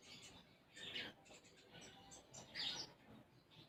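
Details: Actively singing sunbird delivering a song stuffed with sparrow-like imitations, giving two louder clusters of sharp, high twittering chirps amid softer scattered tweets over a faint background murmur.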